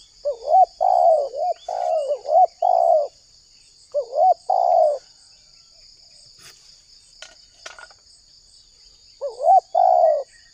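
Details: Spotted dove, Indonesia, calling to attract wild doves: a run of quick double coos, then a pause with a few clicks, before the mellow wavering-then-long coo pattern resumes, backed by a persistent high insect-like drone.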